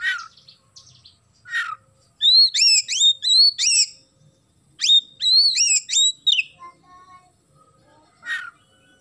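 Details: Oriental magpie-robin singing hard, its phrases filled with house-sparrow-like chirps. Two quick bursts of five or six loud, ringing upslurred notes are framed by lower, softer single chirps at the start and end.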